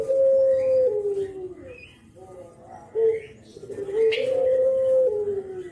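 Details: Spotted dove of Java, nodding, used as a lure with its 'kuk geruk' call: a long level coo stepping down, a pause, a short note, then a rising drawn-out coo sliding lower.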